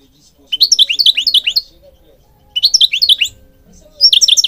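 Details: European goldfinch song, used for training and stimulating goldfinches: three bursts of rapid, twittering, tinkling notes high in pitch, each lasting about a second, separated by short quiet gaps.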